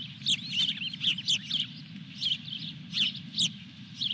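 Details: At Dunrovin Ranch on 23 June 2021, an osprey at the nest with fish number four gives sharp whistled cheeps in short bursts, about two to three per second, over a soft low hum.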